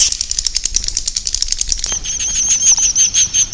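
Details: Swiftlet 'inap' roosting-lure sound, used to draw swiftlets to roost: rapid, buzzy high clicks and chirps, then a thin sustained high whistle with short chirps pulsing beneath it.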